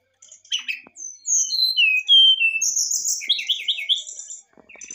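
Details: Excited song of a brown-chested jungle flycatcher, used to draw a response: clear whistles falling in steps, followed by buzzy, rapidly repeated trilled notes, then quiet chips.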